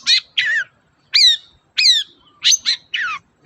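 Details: Long-tailed shrike (cendet) sings to stir a quiet bird: seven loud, harsh, scratchy notes with arched harmonics, tumbling out in rapid succession over about three seconds.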